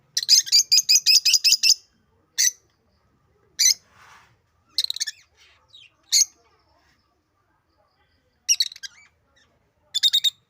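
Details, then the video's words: Shrill rapid chattering from African lovebirds, opening with a fast string of piercing squeaks, then scattered sharp single and double screeches separated by silences. "African love birds |l parrots || birds natural sound"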